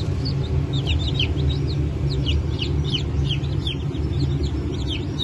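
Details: Just-hatched Brahma and Wyandotte chicks from 4 August 2024, clear falling peeps from several birds in quick succession over a loud low rumbling background.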